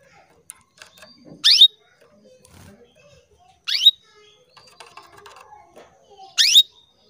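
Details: Female canary summoning males, a lure for male canary song: three bright rising chirps, roughly two and a half seconds apart, over a steady background of soft twittering, rustling and faint chatter.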